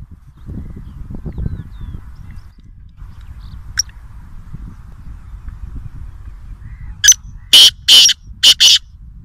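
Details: Black francolin calling in Nawabshah, Pakistan: after a stretch of low rumbling background, a harsh, high-pitched phrase of five loud, rasping broadband notes in quick succession near the end.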